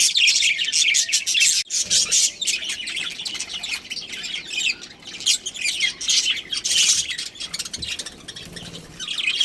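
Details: Budgerigar colony with a breeding pair, heard as a continuous dense chatter of overlapping high, buzzy chirps and warbles from several birds, with barely any pause.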